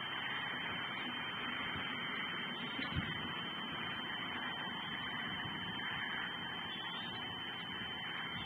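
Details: Only a steady, even broadband hiss and hum fills the recording, with a single faint thump near the middle and no calls.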